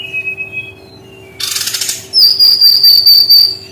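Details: Brown-chested jungle flycatcher song: a thin high whistle, then a burst of hissy buzzing, then a long sustained piercing whistle with rapid trilled wavering.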